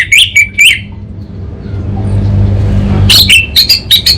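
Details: Orange-headed thrush, kabel konslet then ngeplong style song: a few sharp, rising high notes, a quiet spell with low rumble, then a fast string of bright, repeated chirps.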